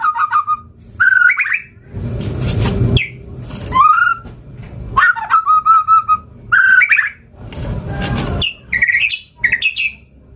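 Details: White-rumped shama lure song: mellow whistled phrases alternating with loud broadband bursts, some notes rising, others short and repeated in quick series.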